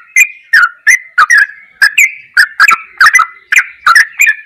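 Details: Goklikan ropelan singing of a sooty-headed bulbul, a masteran track: crisp ticking notes, each followed by a mellow downward slur, often in pairs, at a lively and even pace of about two or three a second.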